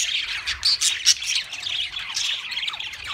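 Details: Pet budgerigars singing: a dense, scratchy high warble of chirps, clicks and short squawks, with louder bursts near the half-second and one-second marks.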